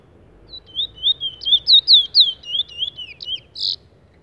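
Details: Trinidad bullfinch, a brown bird, singing a rapid string of clear whistled, slurred notes, about a dozen in four seconds, ending in a brief buzzy note.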